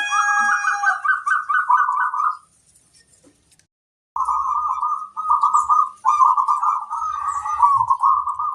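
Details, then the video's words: Local zebra dove used as a lure bird, its song meant to make other doves answer: rapid rolling, bubbling coo phrases at a steady mid pitch, one long run, a pause of about two seconds, then several more trilled phrases. "Suara burung perkutut pikat master"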